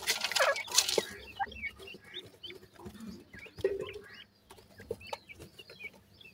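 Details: White francolin chicks in captivity at feeding: an opening burst of loud broadband rustle, then many quick high peeps and twittering chirps from several birds, with low clucks and soft knocks.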